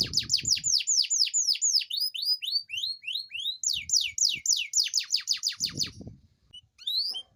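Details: Lively canary singing to coax reluctant canaries into song: rapid bursts of steep descending whistles, then slower rising slurs, then fast sweeps again, ending in a brief pause and a few scattered notes; low rumbling noise at start and end.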